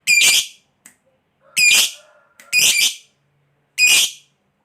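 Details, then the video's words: Lovebird, a fighter-type bird kept by hobbyists, giving loud harsh chirps, four separated bursts spaced about a second apart, each a shrill screech; faint low hum between calls. "Suara Burung Lovebird Ngekek Panjang JAGO Memancing BUNYI, Hitungan Menit LB DIAM Langsung NYAUT"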